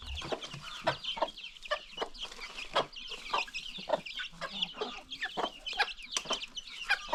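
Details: Free-range farm chickens and new baby chicks: rapid, overlapping clucks and shrill chick cheeps, busy and continuous throughout.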